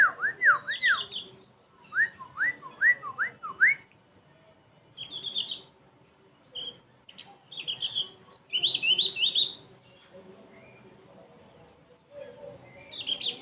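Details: {'caption': 'Javan white-eye song: a run of quick looping whistled notes, then scattered short high twitters and buzzy trills spread over several seconds, with quiet pauses between phrases.'}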